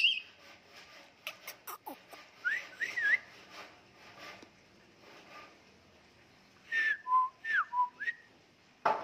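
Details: White-rumped shama from a prize-winning line, singing actively: clear whistled notes, some rising and some falling, in short phrases separated by pauses, with scattered clicks and knocks between phrases.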